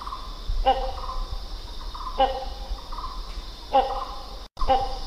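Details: Hornbill giving clipped, nasal notes at roughly one-and-a-half-second intervals, with a brief break near the end, against a constant shrill insect hum and low rumble.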